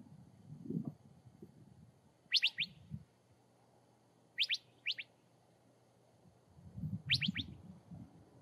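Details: Curve-billed thrasher in desert habitat calling with quick sharp doubled whistled notes, three bursts spaced about two seconds apart, over low rustling and handling noise.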